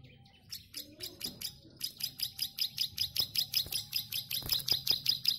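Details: Plain prinia singing vigorously in the long high-pitched ngelik style: after a quiet half second, a rapid series of about thirteen sharp, buzzy high notes, repeated more than twice a second at a steady beat, with faint low background hum.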